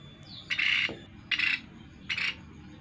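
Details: Sunda pygmy woodpecker lure call: three short, harsh, buzzy bursts, each about a quarter second long, spaced roughly every 0.8 seconds, with a faint thin whistle before the first.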